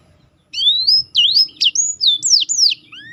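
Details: Black-throated canary singing in a tutoring recording for contest birds, with a special roll. A run of high, clear whistled slurs, some rising, some falling sharply, delivered rapidly after a half-second pause, ending in a lower rising note.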